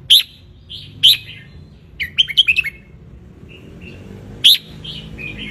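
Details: Red-whiskered bulbul of wild Ratchaburi stock in Thailand, basking in the sun, recorded to teach young birds: short sharp chirps, then a rapid run of five jumbled whistled notes and scattered softer warbles.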